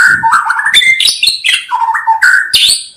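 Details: Dense white-rumped shama song packed with quick warbles, stepped whistles and scratchy high notes, hardly pausing over three seconds.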